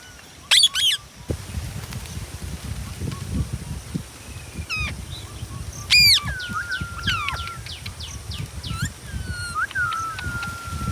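A rose-ringed parakeet gives two loud, harsh screeches with many thin, sliding whistled notes between them, over a low, steady background rumble.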